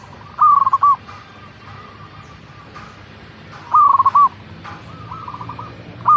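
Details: Local zebra dove (perkutut) song, played as a lure to prompt caged doves to sing. Two half-second phrases, each a rising note into a quick run of soft staccato coos, about three seconds apart, with fainter answering coos between.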